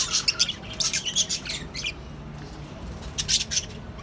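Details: A colony setup housing lovebirds, cockatiels and budgerigars gives a burst of shrill, rasping squawks in rapid succession, then a short lull before another pair of sharp calls.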